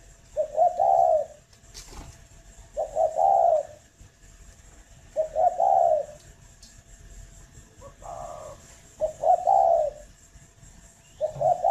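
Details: Spotted dove at a Vietnamese breeding farm in Ba Vì, Hanoi, cooing steadily, with five similar low, hollow phrases roughly every two to three seconds, a blunter call in between, and occasional clicks.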